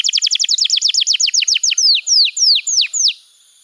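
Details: Master song of a canary, played to teach young canaries: a fast repeated series of downward-swooping whistles that slows steadily, the notes growing longer and more drawn out before stopping.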